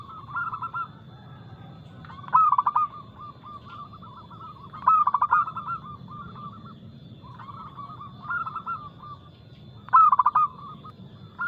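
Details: Zebra dove of a local strain singing loudly and quickly, a lure recording for reluctant caged doves. Bursts of fast, bubbling coos with trailing notes repeat about every two and a half seconds over steady quieter cooing in the background.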